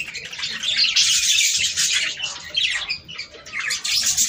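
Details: Budgerigar chorus played to stimulate mating: busy, shrill twittering and squeaky warbled notes from many birds at once, swelling and fading in short waves.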